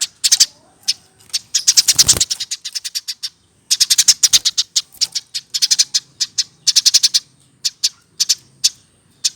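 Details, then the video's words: Eurasian tree sparrow kept in a cage after being hand-raised, aged over one year. Energetic bursts of piercing, rapid chirps across nine seconds, broken by a couple of thumping rustles. "Dari lolohan!!Umur 1 th keatas burung gereja baru bisa seperti ini"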